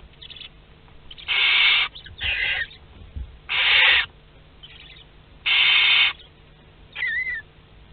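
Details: Second-brood Western barn owl chicks hatching in a nest box at Théding on 22 August 2021: four loud, harsh hisses about half a second each, spaced unevenly, plus a faint thin wavering note at the end.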